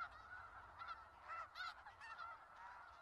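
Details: Dense chorus of snow geese at Skagit Valley: overlapping nasal honks merge into a constant clamour, with a few sharper calls breaking through.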